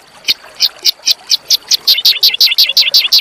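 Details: Training song of small birds played to provoke a white-rumped shama: a steady series of about fourteen bright, high, evenly spaced chirps, roughly three per second, each with a dipping tail.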